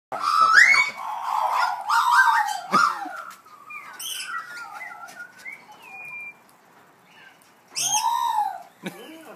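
Australian magpies give rich, throaty warbles and harsh, nasal notes, broken by a few thin, clear whistles, then a loud gargling burst near the end.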